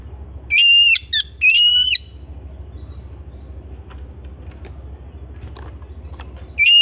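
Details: Oriental magpie-robin kept at home whistling two long steady notes with a short note between them, then several seconds of low hum before another whistle starts.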